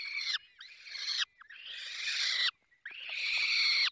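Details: At a falcon nest in the Barycz Valley, Poland, during feeding, loud harsh rasping screeches come in long drawn-out bursts separated by short silent gaps, with faint whistled traces between them.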